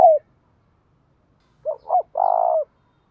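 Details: Spotted dove kept as a decoy for provoking wild doves to coo. A brief cut-off note is followed by a pause, then one phrase of two short coos and a long hoarse final note.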